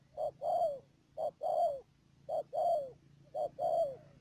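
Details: Spotted dove decoy bird at Mương Điều, Đầm Dơi, Cà Mau, Vietnam, 12 March 2019, giving four regular two-part calls: a clipped first coo and a longer, downward-sliding second coo, spaced about a second apart.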